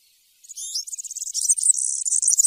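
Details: European serin giving 'campero' field song: after a short silence, clipped metallic notes lead into an accelerating, wheezy, glittering high trill that is still going at the end.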